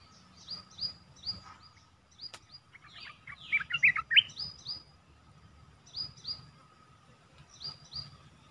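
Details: Red-whiskered bulbul used as a decoy to lure a wild bird, recorded 29 July 2021: short high notes repeated several times a second, then a louder burst of quick rising and falling chirps, over low background rumble.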